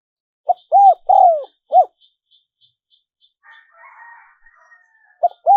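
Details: Spotted dove coo phrase used as a dove lure: four mellow notes with a long falling third coo, then a higher rasping chatter from another bird and faint regular ticking, before the cooing resumes.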